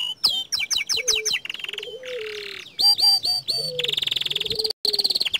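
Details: Young canary song of quick repeated upswept notes, buzzy rattles and fast even trills, broken by brief pauses; a soft low tone runs in places.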